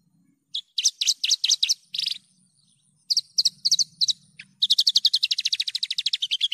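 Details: Lively Javan bush lark song, a clear recording meant to lure and tutor other birds. Separate groups of bright chirps with short gaps lead into a fast, steady trill of high, even notes. A soft low hum runs beneath.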